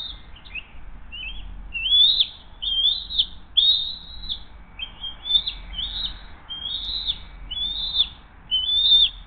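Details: At the Hays bald eagle nest on the morning of 20 June 2023, the adult female brings a second fish and feeds the eaglet; a long run of about a dozen high, thin whistled chirps, each short and slightly upslurred, roughly one every second.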